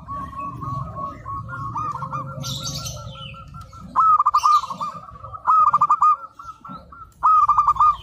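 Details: Local perkutut, the zebra dove, singing strongly in a training master recording. A soft run of cooing notes is followed by three loud, crisp bursts of rapid stuttered coos, each about a second long. A faint higher chirp sounds in the background.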